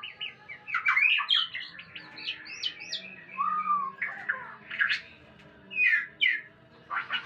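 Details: White-rumped shama during mating: a busy, varied song of quick chirps, upswept whistles, a clear descending whistle and sharp harsh bursts, with pauses between phrases.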